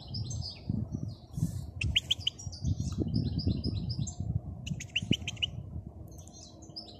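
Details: Out in nature, a European goldfinch twitters in repeated quick bursts of thin, high notes, set against a persistent low-pitched rumble.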